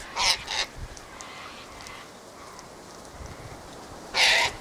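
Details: Harsh screeching from a gathered flock of Sulphur-crested cockatoos (Cacatua galerita) that are fighting: two grating squawks in quick succession at the start, a quieter stretch, then one loud, raw screech near the end.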